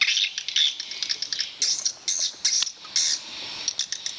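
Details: Swiftlets at a swiftlet house utter sharp, high squeaky chirps in short separate bursts, with faint background twittering between them.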